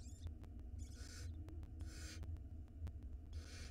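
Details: Small barn owl nestling at an Israeli nest cam feeding on a mouse swallowed whole; three rasping, wheezy hisses spaced about a second apart sound over a continuous low electrical hum.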